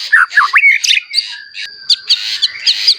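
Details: Vigorous shama song for provoking other shamas: loud harsh, scratchy and twisting whistled phrases at first, easing into quieter chips and short notes, with a steady high whine throughout.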